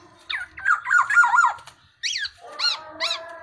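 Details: Tame black-naped oriole: a drawn-out wavering, harsh nasal squawk phrase lasting over a second, followed after a pause by three separate rich, harmonic mewing calls.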